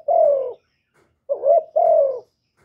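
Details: Spotted dove, known locally as cu gáy or cu đất, giving calling, urging and cooing notes: a long falling coo, a short pause, then a quick hooked note run straight into another drawn-out descending coo, in a quiet setting.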